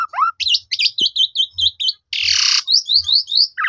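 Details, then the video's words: Black-collared starling singing as bait for rival starlings: a low rising whistle, then a chain of high zig-zag chirps, a loud harsh rasping burst, and several quick upward-flicked notes. "JITU Memancing Jalak Suren Lain Langsung Bongkar Isian Nyaut Suara Panjang"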